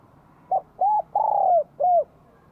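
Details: A single complete phrase from a Vietnamese spotted dove with a bell-like voice greeting spring 2023: four clear coos, a clipped opener, an arched note, a long falling drawn-out coo and a rounded final note.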